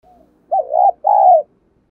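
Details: Spotted dove decoy calling to provoke rival birds, 'thổ' voice style. One two-part phrase: a dipping, gurgled low coo followed by a longer, smooth, slightly falling note.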